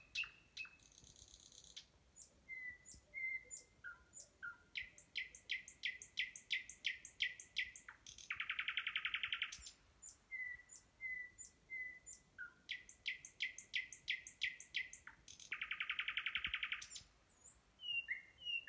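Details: Nightingale singing close by during mating season: rich phrases of sharp whistles, rapid repeated notes and buzzy rattles, separated by brief pauses.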